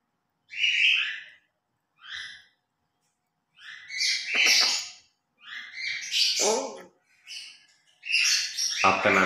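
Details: A grey parrot's morning talking routine at home, with spaced bursts of whistles and speech-like phrases, some thin and high, later ones fuller and raspier, separated by silences of about a second.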